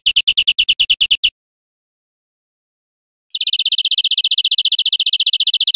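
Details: A European Greenfinch recorded in Spain in 2013 gives a quick burst of about ten bright, evenly spaced notes, then, after a pause, a long, fast, even trill; no other sounds are heard.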